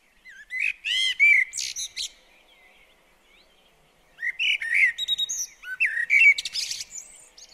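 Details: Common blackbird at a garden bird table gives fluting whistled phrases with high chattering tails, pauses for about two seconds, then sings again with similar twittery endings.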